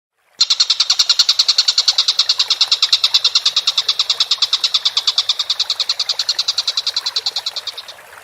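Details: Collared kingfisher, called tengkek buto, recorded as a masteran training recording of a bird calling actively: a harsh, rapid chatter of evenly repeated notes, about nine per second, running steadily for seven seconds and fading slightly at the end.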